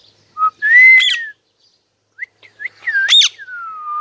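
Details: Talking parrot giving loud, clear whistles that rise and fall, broken by two harsh, sharp squawks, then ending on a long falling whistle.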